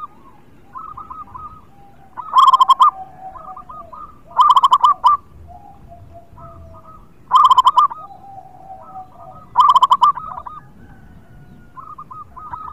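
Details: Local zebra dove in full song as a lure for birds reluctant to call, giving four loud rolling coo phrases roughly every two and a half seconds; fainter doves keep cooing softly between them.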